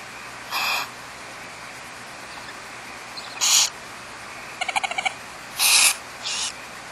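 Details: ['Barn owl pair and four or five nestlings in a cavity of an old eucalyptus, Trabuco Canyon, California. Four harsh hissing screeches at uneven intervals, with a quick series of about six sharp clicks in between.']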